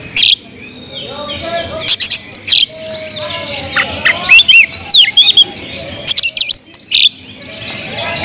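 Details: Kemrayak singing by an Oriental magpie-robin, loud and intended to provoke others of its kind: harsh rasps, then a run of clear whistled slurs and twisting notes, followed by rapid scratchy bursts; faint hum beneath.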